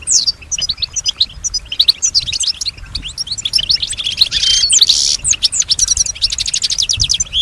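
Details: Home-kept European goldfinch, a female described as copying other birds and human sounds, sings a long run of tinkling twitters with a harsh buzzy wheeze midway and a fast repeated trill toward the end.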